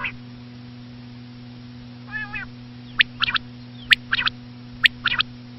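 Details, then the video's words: Female common quail sound for quail hunting: a faint nasal murmur, then sharp clipped three-part phrases at about one-second intervals, low mechanical hum throughout. "common quail.quail sound effect.batair ki Awaz.Звук самки перепела.صدای بلدرچین ۔.बटेर की आवाज"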